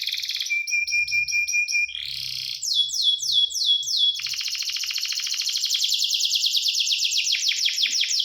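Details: Canary song that opens with a steady, flat whistled trill, moves into a series of falling slurred notes, and ends in a long, very rapid rolling trill that grows louder.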